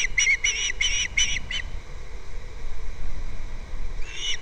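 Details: Osprey calling at a nest on Captiva, filmed by a live nest camera in February: five quick high whistled chirps, a pause, then another burst, over steady low wind rumble.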